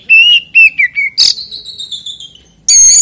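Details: Oriental magpie-robin singing to encourage other magpie-robins to sing: a few clear whistled notes falling slightly, a harsh burst, a long fading whistle, then a loud buzzy note.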